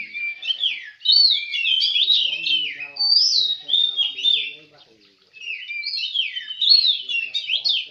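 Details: Contest song of an Oriental magpie-robin at Semende Perapau, a loud, continuous run of sweet whistles, sharp trills and swooping notes, pausing once for about a second before resuming, with a soft low background hum.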